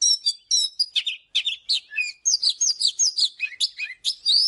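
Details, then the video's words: An Oriental magpie-robin in morning song for training: dense, quick-fire whistles and raspy chatters, rising and falling notes packed in rapid succession. "เสียงนกกางเขนบ้านหรือนกบินหลาขี้ควายใต้ Chòe than HÓT SÁNG"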